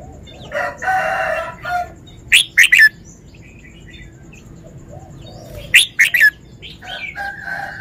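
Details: A caged red-whiskered bulbul from Thailand sings its phrases: two clipped three-note phrases about three seconds apart, each note a quick slurred whistle, with a harsher burst and softer chatter between them.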